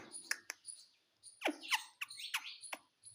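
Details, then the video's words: A pet Indian ringneck (rose-ringed) parakeet gives a quick run of harsh, scratchy, speech-like syllables, imitating the word "mummy" amid short squawks. "MUMMY BOLNE WALA TOTA - BOLNE WALA TOTA - TALKING PARROT"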